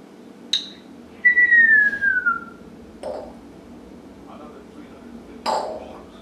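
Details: Male pet African grey parrot talking and making noise: one clear whistled note glides downward for about a second, with short sharp clicks and knocks before and after, over a low steady background hum.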